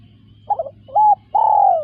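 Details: Spotted dove giving a short cooing phrase: a brief wavering coo, then a steady level whistled coo, then a longer coo sliding gently downward. A steady low hum runs beneath.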